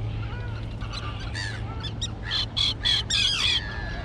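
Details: Terns in a grassy island colony, the young now grown and able to fly, give a series of harsh, grating calls that build into loud, drawn-out screeches near the end, against a constant low rumble.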